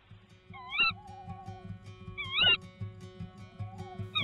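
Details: Tawny owl, a female with her first egg of the season, at the nest after fights with a rival barn owl, gives two sharp, wavering, slightly nasal calls about two seconds apart, with soft music underneath.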